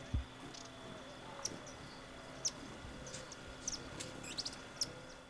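Rivoli's hummingbird gives sharp, very high chips, singly or in quick pairs, about once a second, over a steady faint hum and low background rumble.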